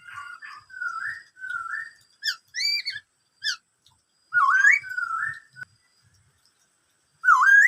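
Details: Song of a Black-throated laughingthrush in the "bắt cô trói cột" style: soft rolling whistles, sharp high staccato notes, then loud rising swoops and a level whistle, ending with a strong upward slur after a pause.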